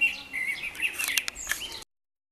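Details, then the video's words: Short burst of common blackbird song recorded in Baia Mare, Romania: clear whistled notes followed by sharper, higher chirps, cut off abruptly after under two seconds. "Cântă mierla"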